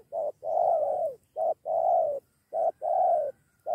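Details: Spotted dove close by, called in by a decoy and set to fight; strong, husky coos alternating short and long, the long notes swelling and fading, repeated in a tight rhythm.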